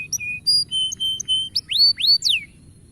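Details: Canary singing to encourage young birds to sing. It gives steady, high, flat whistled notes of varying pitch, then several loud swooping slurs that rise or fall.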